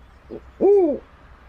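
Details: Snowy owl: a faint short note, then a single clear, arched hooting call that rises and falls smoothly over about half a second, in otherwise quiet surroundings.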